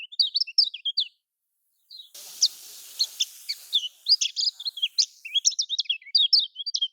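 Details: Lemon-bellied white-eye, Lombok-style song for prompting quiet caged birds: quick high twitters, a short gap, then chirps over steady hiss, ending in a dense run of slurred notes.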